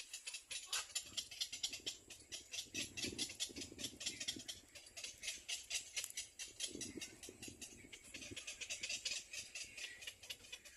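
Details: A Little Egret chick bites its mother's bill, giving a fast, dry, rattling begging chatter of clicks, about two per second, with a few lower clattering bursts from the bills knocking together.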